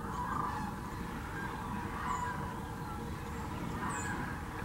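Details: Thousands of migrating sandhill cranes at Hiwassee Wildlife Refuge in Birchwood, Tennessee, captured with a GoPro Hero 9 or Canon Powershot: steady overlapping rolling calls, a few clearer bugles standing out about every two seconds, over a low rumble.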